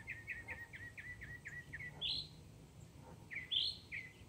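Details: Mockingbird song opening with a string of repeated short downslurred chips, then switching to higher, harsher burry notes alternating with more chips, all against a quiet outdoor background.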